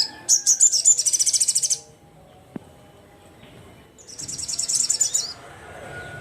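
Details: Crimson sunbird (sogon) calling rivals loudly: two bursts of very high, rapid buzzy trilled notes, the first about one and a half seconds long, then a quiet gap with a single click before the second burst.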